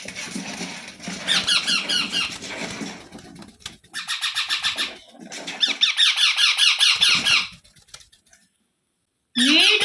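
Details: Baby parrot making repeated rough, pulsing squawk bursts separated by short pauses, over steady background noise, ending with a final harsh call after a brief silence.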